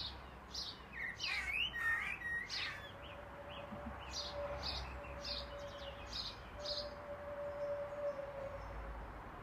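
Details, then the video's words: A black-and-white blackbird, known to mimic car alarms and ringing phones, sings in the morning: short bursts of high, squeaky twitters and a few warbled phrases over a steady low hum and background rumble. "Black bird sings good morning"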